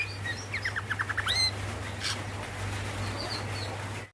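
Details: Female greater green leafbird calling the male: a rapid run of short, clipped descending notes, then a brief buzzy burst and soft, wavering whistles, over a steady low electrical hum.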